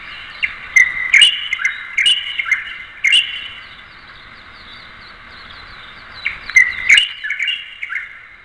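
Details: Light-vented Bulbul calling: bright, sharp chirped notes in loose clusters, some slurred up or down. Two bursts are separated by a few seconds of quiet, with clicky accents among them.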